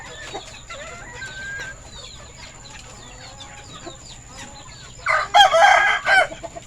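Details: Red-and-orange rooster at a poultry farm during afternoon feeding, February 2022; soft clucks and chick peeps give way to a loud, rough, broken crow in the last second and a half.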